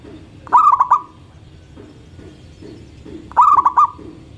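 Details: A local zebra dove sings in the morning, giving two trilled cooing phrases of three to four notes with held endings, while faint lower soft calls and background murmur sit beneath.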